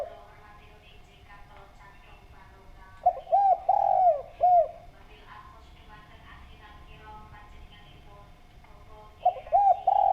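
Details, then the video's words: Spotted dove calling actively, a clear-voiced recording meant as a lure. A burst of soft, hooting coos with downward-curving notes arrives mid-way, then another short run at the end, over a faint steady hum and quiet background chatter. "Derkuku Gacor Suara Bening, Cocok Buat Pancingan"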